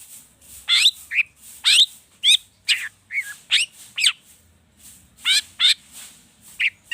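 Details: Long-tailed shrike singing agitated song full of mimicked phrases, used as a lure to make other birds sing: sharp, sweeping high notes and brief chattering bursts, spaced about half a second apart.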